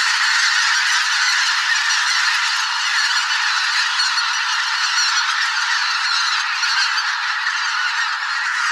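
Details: Thousands of migrating geese, a mixed spring flock of greater white-fronted, bean, barnacle and pink-footed geese, call in a swamp. A dense, unbroken wall of overlapping nasal honks and cackles continues throughout with steady loudness; no single bird stands out.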